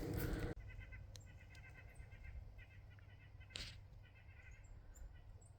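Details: White-breasted Nuthatch in old forested colonial pastureland with oaks and birches, Preston, Connecticut, gives quick runs of nasal toy-horn notes in two bursts; a faint high trill, likely a golden-crowned kinglet, plus a low rumble and a loud knock at the start.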